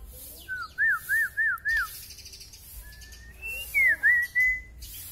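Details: White-rumped shama with a very long tail, singing persistently: a rapid series of four looping whistled notes, a pause, then a rising whistle and three further looping whistles, clear against a quiet background.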